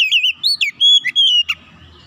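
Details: Oriental magpie-robin lure song for reviving a quiet bird's singing: a wavering whistle, quick slurred notes, then long sustained pure whistles and a sharp closing note, over a faint low background.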